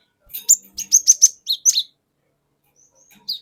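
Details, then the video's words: Wild forest cinereous tit used to provoke other birds: a quick string of about seven high, sharp chirped notes, then near silence with a faint later note. "Pancingan Burung Glatik Batu Bahan Hutan Auto Ngeplong Wucit Wuit Ngerol Panjang"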